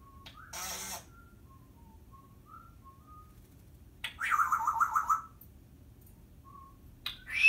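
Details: Pet Timneh African grey parrot talking indoors: short thin whistles drifting around in pitch, then a loud buzzy voiced phrase near the middle, ending with a sharp rising squeak.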